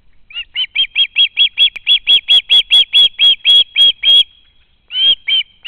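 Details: Young osprey at its home nest on a live nest camera, 12 August 2013, screaming to be fed after spotting a parent; a fast series of loud, sharp whistled notes, about four per second, then a brief pause and more notes.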